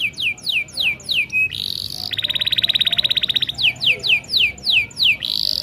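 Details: Canary song of repeated downslurred whistles about every half second, broken by a long rapid rattling trill, then the slurred whistles resume.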